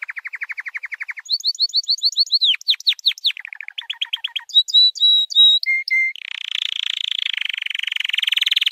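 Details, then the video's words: Training song of a white canary, made of varied tours: a rapid low trill, then repeated descending whistled sweeps, short clipped notes, pure repeated whistles, and finally a dense buzzy roll. "White Canary 12h Singing - The Best Training Song"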